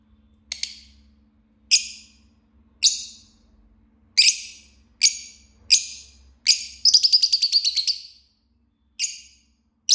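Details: Green lovebird singing and chirping: a series of loud, high, harsh chirps at irregular intervals, then a rapid rattling burst of about ten quick notes, followed by more single chirps, with a faint low hum behind.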